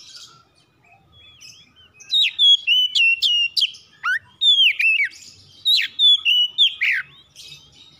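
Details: Captive household oriental magpie-robin, singing as a prompt to start other birds singing day or night. A quiet opening leads into a brisk sequence of bright whistles, sharp rising flicks and falling slurred notes.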